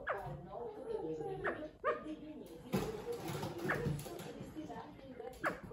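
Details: Pet male California quail talking from its perch on a chair: brief, steeply sweeping call notes repeated at uneven intervals, with a low murmuring background and a faint steady high hum.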